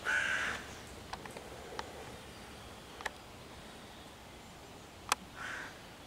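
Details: Cawing hooded crow harassing five young raccoons in a tree on 11 June 2023, calling to drive away the predators and bring other crows to attack; one strong caw at the start, scattered clicks, a softer caw near the end.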